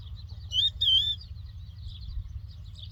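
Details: A lark gives two loud, clear, high whistled notes, then softer twittering, over a low steady rumble; recorded in the Doukkala region of Morocco.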